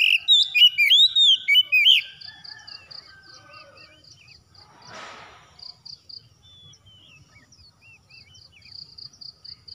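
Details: Oriental magpie-robin giving rapid, loud, slurred whistled notes for the first two seconds. A soft rushing burst follows, then a steady train of short high pulses and scattered faint chirps.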